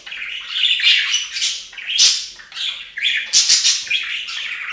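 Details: Several budgerigars taking a bath on a fountain chatter continuously, a dense run of buzzy, warbling chirps with sharp clicks.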